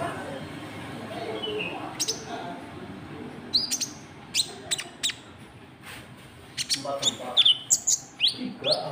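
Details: White-cheeked bulbul lure calling, known locally as konin trotol, to attract rivals: sparse sharp high chirps after a soft start, then a quick cluster of bright slurred notes toward the end over a low rumble.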